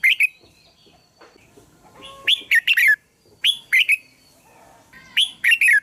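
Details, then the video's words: Red-whiskered bulbul singing to lure other bulbuls, with repeated phrases of three or four bright, slurred, downward-sweeping notes spaced about a second apart and faint background chatter between them. "เสียงนกกรงหัวจุก #เสียงเรียกนกกรงหัวจุก"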